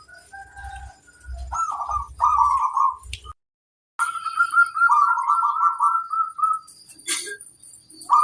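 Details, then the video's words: Wild female zebra dove, called flirtatious, uttering soft rolling coos in two phrases split by a short silence, with low thumping noise early on. "Suara burung perkutut - betina centil di alam bebas mengoda"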